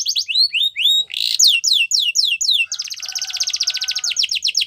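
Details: Yellow canary in wild song: upswept whistles and a short harsh burst, then falling slurred notes, breaking into a long, fast, level buzzy trill of tightly repeated notes.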